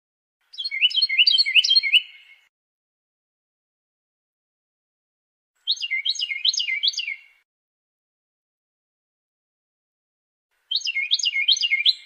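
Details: Three separate bursts of Carolina wren song, each a quick series of bright repeated falling phrases lasting one to two seconds, separated by pauses of several seconds; no other sounds.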